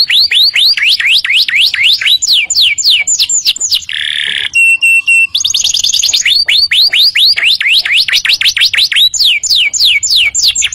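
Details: Tutor recording of canary song for young birds: long runs of swooping whistled notes, interrupted by a brief harsh, tonal burst, then more rapid slurs and trills.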